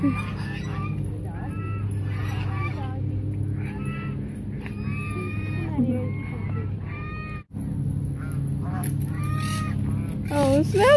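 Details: Hungry geese coming toward people at Mueller Lake park in Austin, Texas; a series of irregular nasal honks, some rising, over a steady low hum, with background music and a woman's voice calling to the birds.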